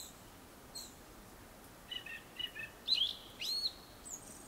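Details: Before sunset, a Japanese thrush gives a rich whistled phrase: a few lower soft notes, then louder looping, slurred whistles rising and falling, in quiet surroundings.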